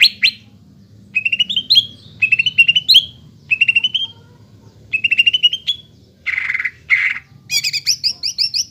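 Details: A greater green leafbird in full song, used as a lure to get young birds singing quickly: whistled phrases of quick rising and falling notes in bursts roughly every second, with two harsh buzzy notes and a final run of high chips.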